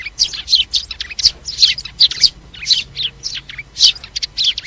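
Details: Flock-calling sparrows recorded for use in trapping; separate sharp, bright chirps, about three or four each second, clear against a quiet background.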